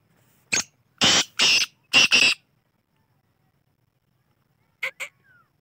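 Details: Black francolin calling: one short rasping note, then four loud harsh grating notes in a quick rhythmic phrase lasting under two seconds, followed by two faint clipped notes after a pause; otherwise quiet.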